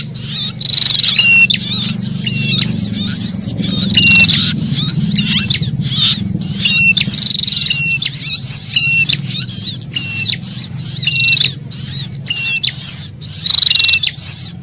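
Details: Frightened, threatened sunbird alarm calls mixed with a prinia's, used as a lure for wild birds: dense, shrill, high twittering with rapid chips and short rising-falling notes, overlapping almost continuously over a low steady hum.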